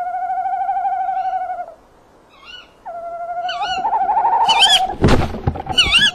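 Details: Eurasian eagle-owls at a nest box camera, evening of 27 February 2016, female wanting prey from the male. Sustained quavering notes, then squiggly higher yelps and a loud scuffling burst.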